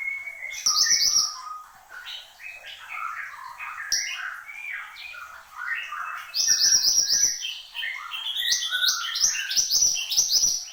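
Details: Mantenan gunung (Horsfield's babbler) singing actively: varied whistles and sliding notes at mixed pitches, with short high trills between them, building near the end into dense loud runs of high chirps.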